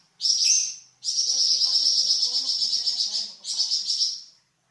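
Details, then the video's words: Flamboyan bird varied song, used as a training song for cucak ijo and magpie robin: dense, high, buzzy trilling in long unbroken bursts, with a brief opening burst and a short pause before a final phrase. "Suara variasi burung flamboyan untuk masteran cucak ijo dan murai batu"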